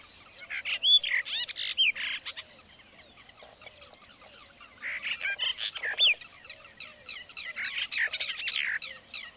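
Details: In an Indian village, a brahminy myna delivers two bouts of rapid squeaky chatter with bright whistles and harsh notes, separated by a quieter pause, while other faint bird chirps continue in the background.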